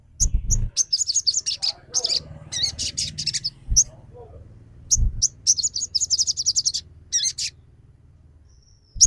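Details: Crimson sunbird (sogon) on a lure track for provoking song, aggression and breeding mood: dense bursts of high, rapid chirping trills and twittering phrases, some long runs, with faint low thumps between phrases.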